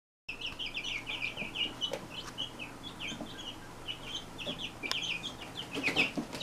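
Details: Brahma chicks, all hatched from one hen, peeping together in a steady chorus of high, short, downslurred cheeps with occasional clicks and knocks.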